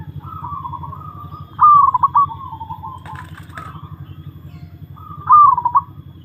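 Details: Zebra dove (perkutut), an old kept bird, sings during a mental test. Its soft, rolling, trilled coos are followed by a louder burst of quick throaty notes, heard twice over a steady low hum.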